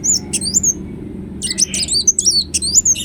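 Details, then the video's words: Ruby-cheeked sunbird singing eagerly, used as a lure: high slurred whistles and sharp chips, a pause, then a rapid jumble of squeaky twisting notes over a quiet background. "Kolibri Wulung Gacor Latah Gampang Bunyi"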